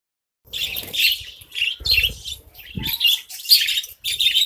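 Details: Caged colony of budgerigars feeding on grain, giving bursts of high, scratchy chirps and warbling chatter in quick irregular runs, several birds calling over one another, with soft low rustling and pecking underneath.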